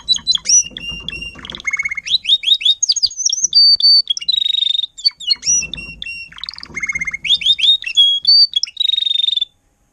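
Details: Adult Timbrado canary singing as a tutor for young canaries, 2021: two similar song bouts of upslurred chirps, fast rattles and steady held whistles, separated by a short pause; light low rumble in the background.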